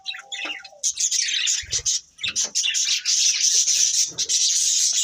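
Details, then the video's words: Pair of breeding budgerigars opening with a thin whistled note, then launching into loud, continuous rapid chirping and warbling chatter. "Beautiful Budgies Chirping Sounds | Love Birds Breeding Pair"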